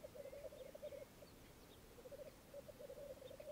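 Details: Black grouse males bubbling at a morning lek on a bog in Mykland, Norway, in May 2022, twelve males and two females present: quiet gurgling rookoo phrases come in two bursts separated by a short lull.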